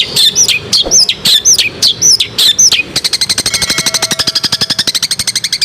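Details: Long-tailed shrike (cendet) singing a masteran-style tutor song meant to make a silent cendet sing: about five sharp rising-falling whistled phrases, then a rapid, steady train of buzzy clicking pulses to the end.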